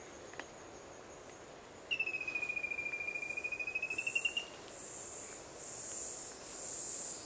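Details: Rufous-capped antthrush (Formicarius colma), recorded 3 March 2016, calls a rapid run of about fifteen whistled notes over two and a half seconds, slightly rising then easing, followed by a high, pulsing insect buzz.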